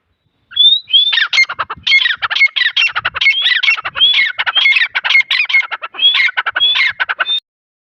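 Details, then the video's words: Grey francolin chicks at Taunsa call in a dense, nearly unbroken run of scratchy squawks, each carrying a thin whistled upward slur, for about seven seconds. "Dakni titar chicks|dakni titar sound"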